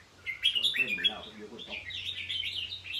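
Red-whiskered bulbul giving quick, bubbly high chirps and warbled phrases, with a brief human voice and a low electrical hum beneath.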